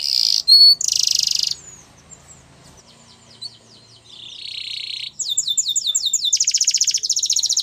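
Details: Canary singing a training song: loud harsh buzzy bursts at the start, a quiet gap with faint background noise, then rising into fast rattling trills and bright repeated whistled rolls.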